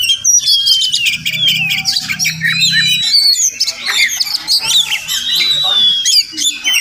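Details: Village Oriental magpie-robin, wild and returning every morning to a home area where it may nest, pours out loud scratchy squawks mixed with thin whistled slides, a faint low hum in the first three seconds.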